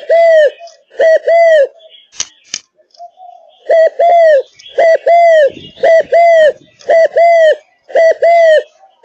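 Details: Spotted dove of Malaysian stock, kept as a songbird, cooing hard and loud: repeated two-part phrases, a clipped note followed by an arched mellow coo, broken once by a sharp click, with faint twittering around.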